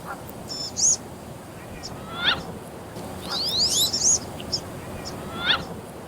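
Wood Duck giving high, thin rising squeals and whistled 'ooeek' notes in short bursts roughly every second or two, over a faint steady background hiss.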